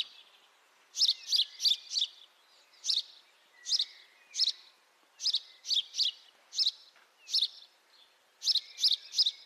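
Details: House sparrow (Passer domesticus) giving bright, harsh chirps, singly or in quick bursts of three or four, repeated steadily over a faint soft background hiss.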